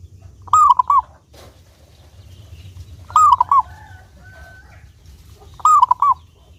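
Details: Local zebra dove with a clear voice, recorded as a lure to make doves sing; three cooing phrases roughly every 2.5 seconds, each a bright rising note then quick rolling notes, with a faint whistle between.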